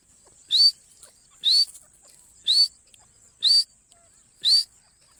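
Partridge calls: a sharp, rising whistled note repeated about once a second, five times, over a faint steady high hiss.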